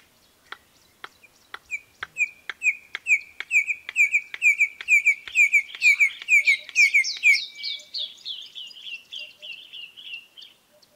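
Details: Red-crested korhaan, Kruger Park, South Africa, singing very loudly: dry clicks that speed up into a rapid run, then give way to a series of shrill, rising piping whistles that slowly fade, in a quiet setting.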